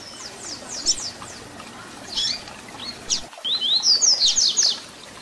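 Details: Double-collared seedeater singing Tui Tui Zel Zel fibra song meant for young birds to learn. Scattered high downslurred notes give way to a brisk, loud run of rising whistles and sharp descending strokes.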